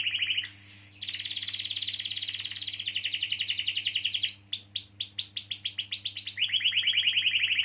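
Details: Canary with a long rolling song, used to coax young or non-singing canaries into song: sustained dense trill, then quick repeated swept notes and a lower rapid roll to finish, low hum beneath.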